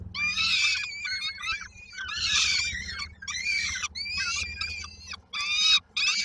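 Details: Peregrine falcon chicks at a nest in Koszalin, Poland, on 19 May 2022, waiting for their mother to bring supper; harsh, screaming begging cries in repeated bursts with rasping harmonics, and a low background hum.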